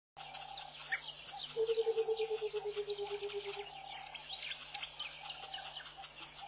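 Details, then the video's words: Burchell's coucal singing in the early morning at Pete's Pond, Mashatu Game Reserve, Botswana, January 2014: a low bubbling series of rapid hollow notes, slowly falling in pitch over about two seconds, over a steady high shrill insect chorus. "Song of the Burchell's Coucal"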